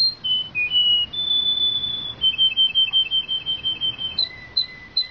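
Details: Song of a Belgian canary, opening with brief whistled notes, then a long steady whistle followed by a rapid trill of repeated chirps and spaced lower and higher whistled notes.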